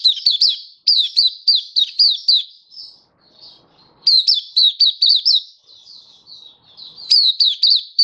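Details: Oriental white-eye in 'buka sing' song display, recorded 24 February 2023: three bursts of rapid, high-pitched chirps, sharply downslurred, separated by quieter thin warbled notes in an otherwise quiet setting.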